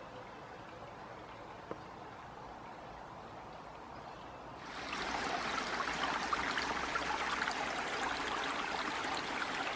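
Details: Soft murmuring water noise grows suddenly louder halfway through and continues as a steady rushing stream, with no animal sounds evident.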